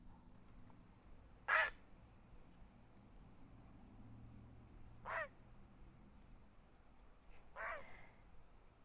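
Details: Great blue heron at Big Bear Lake, California, on an October boat cruise, giving three loud harsh croaking squawks, each under half a second, spaced two to three seconds apart over a low engine-like hum.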